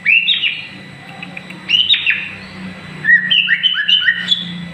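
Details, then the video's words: White-rumped shama in moult, growing new plumage and seen as a future champion, singing rich whistled phrases: clusters of sliding notes, then a rapid series of short upslurred whistles over a faint low hum. "burung murai baaatu calon jura. semngat menhdapi bulu baru"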